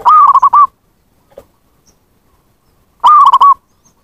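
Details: Zebra dove lure recording for calling wild birds: a rapid stuttered coo phrase, a faint soft note in the pause, then a second matching rolling burst about three seconds later.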